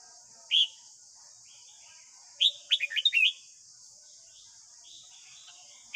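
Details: Red-whiskered bulbul singing its morning song as a training tape for a young caged bird: a lone whistled note, then a quick burst of five bright, falling notes, over a steady high hiss.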